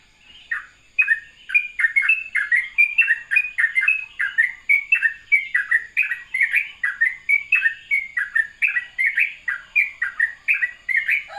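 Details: A sooty-headed bulbul sings a long morning ropelan, a soothing rapid-fire stream of liquid chirps. It starts after a short quiet moment, then keeps up a fast, even rhythm of bouncing notes.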